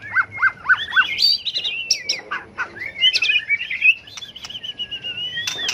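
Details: White-rumped shama trained for song battles, delivering its competitive fighting song: opens with four quick repeated chip notes, then flows into long varied whistled phrases and warbles with a few clicks.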